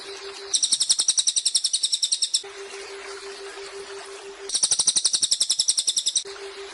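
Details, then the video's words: Cililin song used as a training model for songbirds such as white-rumped shama, with waterfall interludes: rapid high buzzy trilled bursts of evenly spaced pulses lasting about two seconds, separated by a pause filled with rushing water and a steady low hum. "SUARA BURUNG CILILIN JEDA AIR TERJUN"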